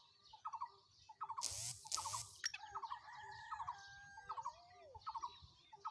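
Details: Black francolin in Sindh, Pakistan: faint, short grating note clusters repeat every second or so, broken by two loud bursts of noise, with soft chirps from other birds.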